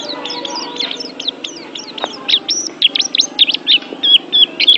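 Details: Oriental white-eye training song for pet birds: soft high chirps building into louder sharp twisting whistled notes, roughly three per second, over a low steady hum.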